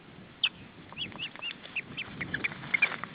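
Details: Osprey chick at its nest in August 2012, taking off and returning; a steady string of short, sharp, slightly rising chirps repeated rapidly, some louder than others, over a soft low rumble.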